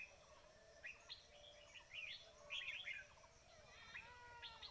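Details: Red-whiskered bulbul calls used as a lure for trapping: short liquid chirping phrases in bursts, rising and falling notes, with a steady high insect-like hiss behind.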